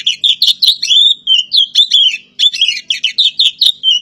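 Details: Oriental magpie-robin, the black-bellied form from Java known as kacer poci, singing a fast, varied chatter of short scratchy and whistled notes, with brief gaps between bursts and no other sounds.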